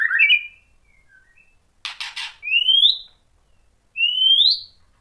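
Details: White-rumped shama song to provoke others: a whistled opening, a harsh rattling burst, then two clear upslurred whistles separated by a pause.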